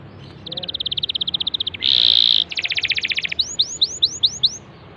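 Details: Canary song used to coax a silent canary into singing: a fast even trill of short notes, a dense buzzy burst, another rapid trill, then five separate rising whistled upsweeps; no other sounds.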